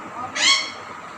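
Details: Pet parrot imitating a child saying "Mama": a short, bright, voiced syllable burst of about a quarter second, rich in overtones, with no other sounds.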